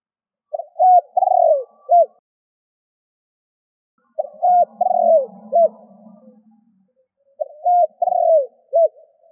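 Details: Spotted dove kept as a lure bird to attract other doves: three cooing phrases about every three and a half seconds, each a quick pair of notes, a longer falling coo and a short final coo, with a faint low hum between.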